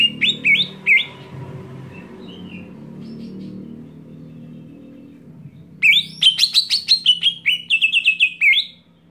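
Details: Greater green leafbird screaming to provoke other leafbirds: two bursts of sharp, shrill notes, the first short and the second around three seconds long, with notes bending up and down and rapidly repeated, separated by a quiet stretch with low background hum.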